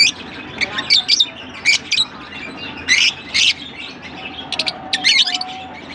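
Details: Lovebirds in Larkana make loud harsh squeaky bursts in irregular clusters, roughly one every second or two, with a short level whistle near the end and a low hum.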